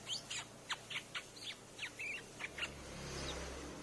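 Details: Streak-eared bulbul sound used to lure birds: a rapid series of bright, chirpy chip notes, some slurred down and one twisted, about ten in three seconds, then fading into hiss.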